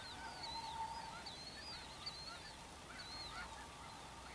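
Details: Snow geese, with blue birds and Ross's geese, loafing and feeding on the prairies of the Dakotas during spring migration; scattered wavering high yelps and lower honks rise from a distant flock over a steady murmur.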